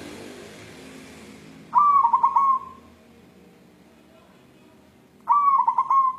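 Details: White zebra dove of a local wild strain, calling while looking for a mate: two bubbling cooing phrases about three and a half seconds apart, each a quick stuttering run of notes ending in a soft trill, with quiet background hiss.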